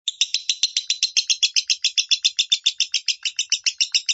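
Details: Lovebird singing minor-style, recorded as a tutor for other lovebirds: a fast series of buzzy, rasping chirps about four per second, starting abruptly and carrying on steadily.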